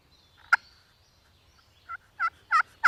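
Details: Angry wild turkey hen going after a hunter's decoy: one sharp note, then a rising series of four raspy yelps, each louder than the last.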